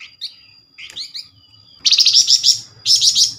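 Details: Flamboyan call played as a lure to prompt other Flamboyan to reply: a few thin slurred chirps, then two loud, dense, scratchy buzzing bursts in quick succession.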